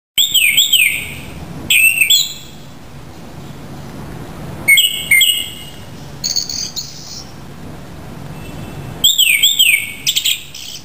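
A Japanese Thrush gives clear, rich whistled phrases with quick twisting notes, in bursts every two to four seconds over a quiet background.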